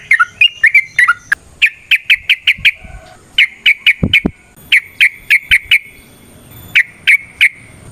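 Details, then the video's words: Sooty-headed bulbul lure song to prompt other bulbuls: crisp whistled notes repeated in quick evenly spaced series, a few chirps and a couple of low thuds partway through. "Suara Burung TRUCUKAN gacor ROPEL VARIASI NROTOK NGECUPLIK pancingan trucukan agar JADI trucuk GACOR"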